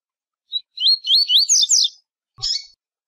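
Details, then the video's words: Coleiro (double-collared seedeater) giving its tui tui style song: a short high note, then a continuous wavering string of looping whistled phrases, ending after a pause with a single rough chirp. "Coleiro Tui Tui"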